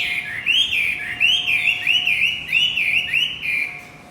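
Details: Javan white-eye song used as a lure to get a male that has stopped singing to sing again: bright, wavering chirped phrases repeated about every half second, with a faint steady hum beneath.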